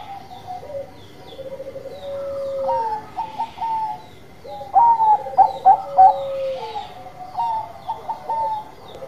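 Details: Actively singing Bangkok-line zebra dove: soft, falling coos give way to a loud cluster of quick stuttered coo notes, then more gentle cooing, several voices overlapping against a faint hiss.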